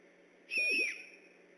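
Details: Great horned owl on alert at night beside an eagle nest at Decorah, 3 October 2015; one brief hoarse screech with a thin whistled tone that dips slightly at the end, steady background hiss.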